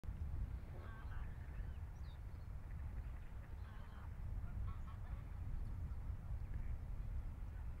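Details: Eurasian wigeons in a flock at Bejershamn, Sweden, in October 2011: short whistled, upslurred calls scattered through the recording, faint over strong low wind rumble.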